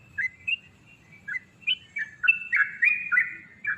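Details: Yellow-vented bulbul singing in the long 'ropel' style intended to spur rival birds into song. The phrases start as scattered liquid notes, then build into a rapid, bubbling cascade over a soft low hum.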